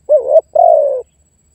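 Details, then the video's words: Spotted dove lure call used to attract wild birds, calling and challenging a rival: a short, wavering, double-humped coo followed by a longer, smooth coo that slowly falls in pitch, in a quiet setting. "SUARA TEKUKUR MEMANGGIL DAN MENEKAN LAWAN"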